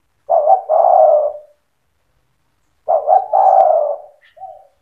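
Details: Spotted dove giving a lively cetretan-style song meant to rouse other doves into singing: two low cooing phrases about 2.5 seconds apart, each a quick stuttered double note running into a long mellow coo, ending with one soft short coo.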